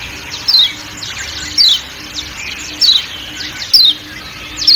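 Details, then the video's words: Kecial kuning white-eye from Lombok uttering isolated high, falling chirps about once a second over quiet forest background sound. "Kecial Kuning Ciak Ciak Dan Suara Hutan"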